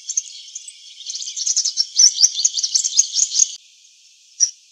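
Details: A purple sunbird in eclipse plumage sings in a backyard. Its dense, sibilant, very high twitter runs for about three seconds, then stops, and one last squeaky note follows.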